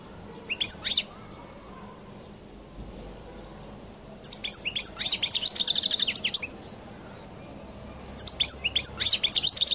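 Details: European goldfinch, Collo type from Algeria, with its distinctive song. A few short chirps are followed by a long twittering phrase with a fast trill, then another twittering phrase starts near the end.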